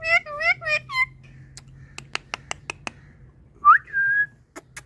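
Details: Indian parrot calling with clear, bouncing whistled notes, then a run of crisp drip-like clicks, then a short rising whistle followed by a level tone in a quiet room.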